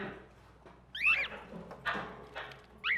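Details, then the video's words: Caged tropical birds in a pet shop give sharp, curving squawks and short screeches, about three bursts in three seconds, over a steady low room hum. "Aves tropicales en tienda de mascotas"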